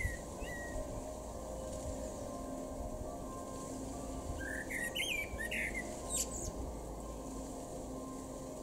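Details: Garden in Weener, East Frisia, far northwestern Germany, April 2022, with a male common blackbird: after quiet faint notes, a brief mellow fluting phrase bends up and down, closed by a high scratchy flourish, with a constant drone behind.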